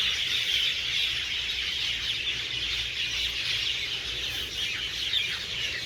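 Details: Hundreds of roosting birds chirping loudly in garden trees at evening: continuous overlapping high twitters with occasional clearer squeals standing out, steady level, soft low hum behind.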